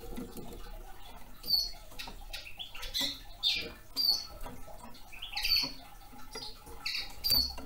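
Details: Young male red crossbill giving short, sharp high calls roughly every second or so, each a bright clipped note, mixed with soft clicks and rustling.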